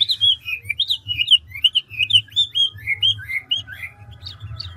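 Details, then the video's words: Mature wild-caught Chinese hwamei, five-phrase singer, delivering a fast continuous run of clear looping whistled notes, each slightly different, rising and falling, with a faint low hum underneath. "Họa mi ngũ trường đảo giọng tốc độ"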